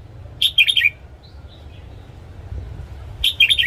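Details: Red-whiskered bulbul morning song, played to train caged wild-caught birds: two short bright chirpy phrases, each a quick run of three or four warbled notes, separated by a pause of over two seconds, over a low background hum.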